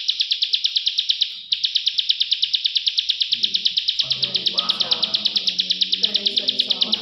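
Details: Plain prinia from Indonesia, locally called prenjak sawah or prenjak klik, producing an unbroken, evenly paced stream of sharp high clicks, while lower harmonic background voices appear in the second half.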